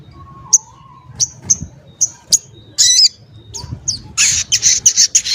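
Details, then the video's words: Crimson sunbird, locally sogok or sogon ontong, kept as a vocal tutor for other songbirds: scattered sharp high ticks and chips, a brief dense burst, then a loud rapid run of high notes, one low whistle near the start. "Sogon Ontong Gacor"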